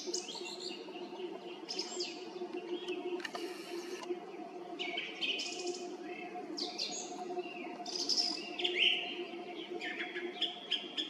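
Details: Roadside treetop song thrush near the Red Lakes, Zarechny, singing on an April evening; varied short high phrases, whistles and scratchy notes in bursts, with a steady low hum behind.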